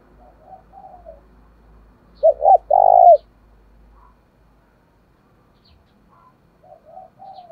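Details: Spotted dove in a territorial, fight-inciting cooing bout used to attract wild doves. Soft coos lead into one loud, resonant two-part coo. Quieter coo phrases follow near the end over a faint low rumble early on.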